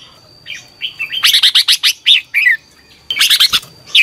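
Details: Red-whiskered bulbul, caged, singing for morning practice: soft opening whistles build into a long, lively string of rolling, bubbly notes, then another energetic burst, over a faint steady high whine.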